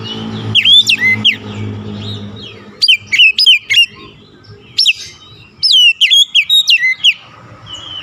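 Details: Kacer, or Oriental magpie-robin, lure song meant to spur a silent, stressed bird into full singing: bursts of rapid, sweeping whistles and sharp chips in three groups, with pauses between them and a steady low hum underneath.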